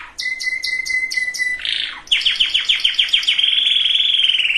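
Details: Canary song used to prepare females and males for breeding: a steady high whistled tone, then a fast rolling trill of rapid descending notes, ending in a sustained buzzy trill.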